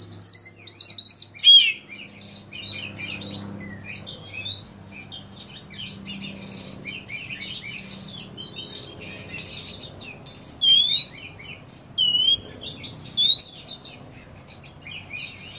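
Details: Oriental magpie-robin in song, May 2015. A long run of mixed, sweet whistles and chattering notes is broken by clear, upslurred whistles repeated several times toward the end. Faint background noise sits underneath.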